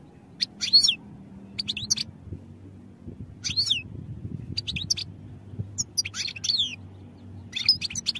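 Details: European goldfinch song for training, with repeated short phrases of sharp, high twittering notes and downward slurs coming every second or so, a soft low hum underneath.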